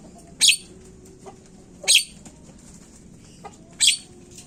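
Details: Asian pied starling as a lure sound to prompt singing: three loud, rasping screech notes spaced about every one and a half seconds, with soft clicks between them and a faint low hum beneath.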